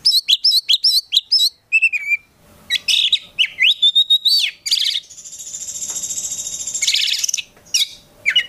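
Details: Oriental magpie-robin kept as a contest prospect, delivering a long, densely filled song. Rapid looping whistles open the run, followed by scratchy bursts and a sustained high hissing trill, then quick sharp chirps.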